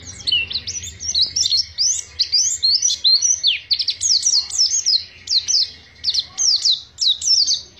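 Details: Pacitan Oriental white-eye in long ngriwik song, a dense string of shrill descending twitters packed tightly together, broken by short gaps, loud and clear against a quiet setting.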